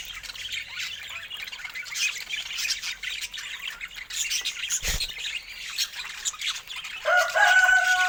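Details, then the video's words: Busy budgerigar chatter of thin, fast squeaks and warbles, with a single thump midway and a clear, steady whistled note with overtones near the end. "Stunning Budgie Colors & Relaxing Natural Sounds"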